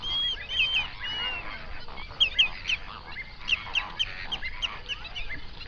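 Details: Binaural sunrise recording of a flamingo flock on a lake in South Africa's Overberg region; loud, clear goose-like honks burst out in quick runs of two or three, over softer flock chatter.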